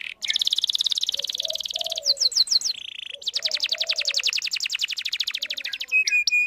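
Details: Singing canary used as a lure for young birds learning song: a buzzy rapid trill, a few quick sweeps, a short buzz, another long fast trill, and two brief flat notes at the end.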